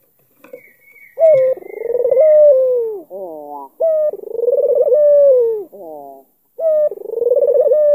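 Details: A faint high tone and soft clicks, then an albino Barbary dove with a black collar begins loud rolling coos aimed at provoking a rival, each trembling coo falling away and followed by brief stacked notes.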